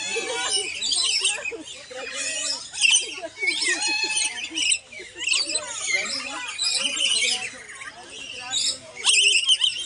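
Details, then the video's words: Lories at Cebu Safari and Adventure Park, Philippines, chattering in a busy flock: shrill, harsh squawks and rapid high chirps overlap continuously, with scattered lower calls beneath and no pause in the din. "Vibrant lories chirping"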